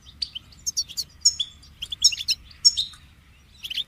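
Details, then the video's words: Goldfinch delivering short clusters of sharp, high tweets and slurred twitters, separated by brief pauses, over faint low background noise. "Amplifying the Goldfinch's Voice"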